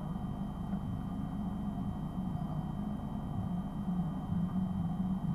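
Steady low rumbling noise with a faint constant hum continues throughout, with no animal sounds.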